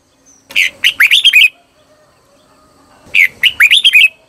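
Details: Red-whiskered bulbul singing as a decoy to call wild birds: two quick phrases of five or six lively, slurred whistles, each phrase about a second long, separated by a short silence.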